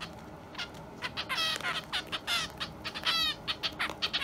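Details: Young pet Java sparrow kept indoors, left behind by its companion and still crying, recorded March 30: quieter clipped harmonic calls in quick uneven series over a noisy room background.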